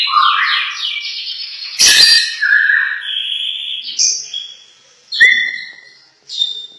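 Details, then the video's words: Champion lovebird kept by a bird-keeping enthusiast in Tanjung Pinang, sung at full volume: rapid descending chirp series, shrill squeaky whistles and buzzy squawks, separated by short pauses, one sharp knock mid-phrase. "Kicau lovebird juara mantap"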